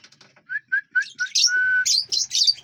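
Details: Lovebirds feeding and flying inside a large aviary: four short whistled notes in quick succession lead into one steady held whistle, then a tumble of shrill, squeaky chirps.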